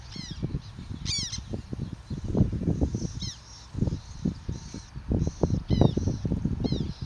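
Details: Black tern parents at nest rafts in the Netherlands, busy all day bringing food, mostly dragonflies, to their young: sharp, down-slurred harsh calls at irregular intervals over heavy low rumbling noise and flapping.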